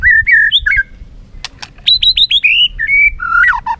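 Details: White-rumped shama singing a contest song with tail flicking: mellow whistled phrases, two sharp clicks, then a quick series of falling high notes and lower warbled whistles.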